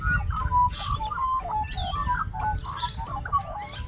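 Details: An Australian magpie warbles, a call described as a friendly invitation to other magpies, in a rambling run of mellow, fluting notes and quick chortles, with background music playing underneath.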